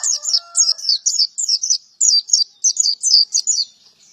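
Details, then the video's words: Male white-eye pouring out a continuous run of high, sweet, slurred chirps in rapid succession, with a short lower whistled note at the start. "Burung pleci gacor jantan"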